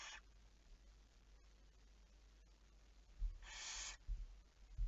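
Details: Barn owl at night, 11 May 2019, 23:34: one clear rasping, hissy screech near the end, with the tail of another at the start and a few soft thumps and knocks in between.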